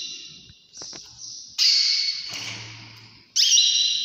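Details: Early-morning canary song made of loud, rapid high trills in sustained phrases, with a few faint clicks early on and a sudden final burst.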